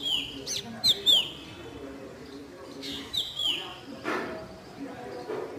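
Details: Baby drongo in natural habitat calling with repeated sharp, high, down-slurred whistles in small bursts, interrupted by a brief broadband rustle, over faint low background hum.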